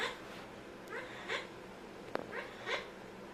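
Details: Amazon parrot kept as a pet, making funny sounds: paired nasal chirps with rich overtones, repeated about every second and a half, plus one sharp click in between.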